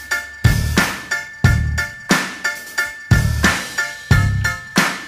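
A drum-kit beat with bass drum, snare and hi-hat hits repeating about once a second, and no animal voice heard.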